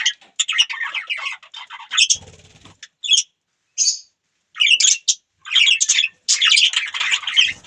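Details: Budgerigars chirping and chattering indoors: dense, scratchy warbles and squawky chirps in rapid bursts with brief pauses, several birds overlapping.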